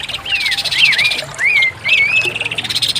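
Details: Orange-headed thrush, a kept songbird, singing in short slurred whistles that dip and rise, a few phrases over three seconds, against a steady buzzy hiss.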